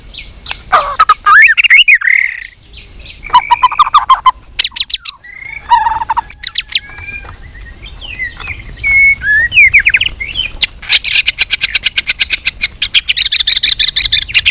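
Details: Contest-trained white-rumped shama in fighting song with many voices: bursts of varied whistled and slurred phrases, pauses, then a long rapid series of sharp high chips near the end.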